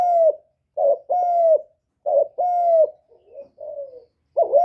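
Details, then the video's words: Spotted dove used as a decoy, calling to attract others: a few deep, mellow coos in pairs and threes, a softer trailing note midway, spaced about a second apart in a quiet setting. "Tiếng chim cu mồi GÁY GỌI + THÚC + GÙ kết hợp kích bổi"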